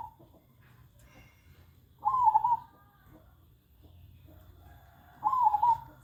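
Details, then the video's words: Zebra dove repeating its trilled coo: a fragment at the start, then two full rippling phrases about three seconds apart, each wobbling in pitch and ending with a slight fall, over a quiet background. "burung perkutut"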